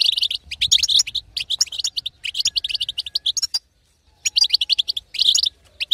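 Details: Betbeta of a female European goldfinch, used to stir a quiet male goldfinch to sing: quick runs of bright, tinkling twitters, a half-second silence midway, then renewed chirping bursts.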